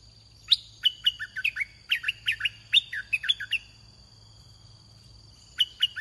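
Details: Large caged red-whiskered bulbul used for luring wild birds: bright chirpy phrases of quick bubbling notes across the first three and a half seconds, a pause, then a short phrase again, with a steady high tone and low hum.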